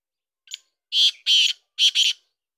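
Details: Black francolin (kala teetar) calling: one faint short note, then four loud, harsh, grating notes in two close pairs over about a second, in an otherwise quiet setting.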